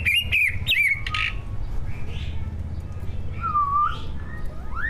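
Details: Greater green leafbird, one of two competition-class captive birds, singing a tutored mimicry-filled song meant to provoke other birds: a few sharp warbled whistles at the start, a later slurred whistle and rising note, over steady low hum.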